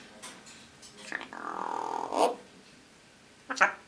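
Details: A female eclectus parrot talks, mimicking a man's voice while swaying, in a drawn-out, nasal mid-pitched phrase, then short syllable bursts, in a quiet indoor room.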